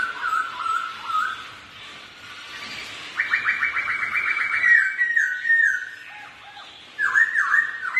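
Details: Black-throated laughingthrushes, two ornamental birds duelling in song and dancing, give wavering whistles, a quiet gap, a fast rising trill, gliding notes and a closing burst of looping whistles.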